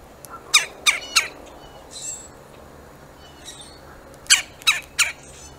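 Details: Woodpecker trying to drive off a squirrel: two bursts of three harsh, broadband squawks in quick succession, separated by a quiet gap with faint chirps.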